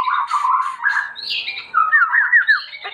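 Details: White-rumped shama in full song, used as a master song for training: rich warbled phrases around mid pitch, a higher sweeping note, then quick looping whistled notes near the end.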